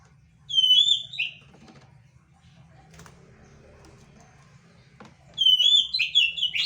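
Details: Quail calling actively, described as chattering in full voice: a high, clear whistled note sliding downward, then after several quiet seconds a quicker burst of similar high falling notes, over a low steady hum.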